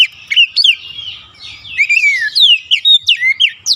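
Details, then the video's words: Oriental magpie-robin singing a stimulating lure song: varied rich whistles, some long and slurred downward, others short and rising, delivered in a lively continuous stream with little background noise. "KICAUAN PEMIKAT DAN PERANGSANG BUNYI | Kacer stres macet bunyi langsung gacor"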